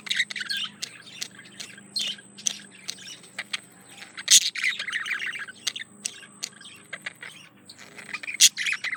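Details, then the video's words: Male budgie courting a female: ongoing chattering warble of quick clicks, buzzy chirps and sharp squeaks in irregular bursts, with a faint high whine in the background. "Male Budgie/Parakeet Courting Female"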